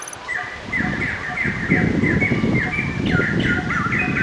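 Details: At Dong Tam snake farm in Tien Giang, Vietnam, a white-crested laughingthrush gives a quick run of repeated mid-pitched, chattering notes, about four per second, over a low rumble of background noise.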